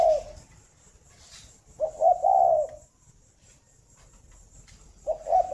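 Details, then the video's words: Morning cooing of a caged breeding spotted dove at a farm in Ba Vì, Hanoi, Vietnam: a mellow, low coo trailing off, a longer rolling phrase of several coos, then another phrase beginning at the end. "tiếng chim cu đẻ"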